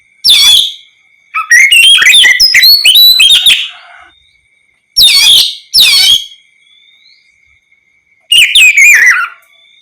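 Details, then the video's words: Oriental magpie-robin singing ngeplong style as bait for other magpie-robins to answer; a longer whistled, warbling phrase followed by short separate bursts, spaced by silences, over a faint constant high tone. "Terapi suara Kacer ngeplong untuk pancingan Kacer apapun agar ikut bunyi nyaut gacor"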